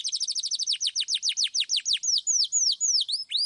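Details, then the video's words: Clear-voiced canary singing; a run of quick descending whistles slows into long drawn-out downslurred whistles repeated about every half second. "KENARI GACOR Suit Suit Ngeroll Suara Jernih"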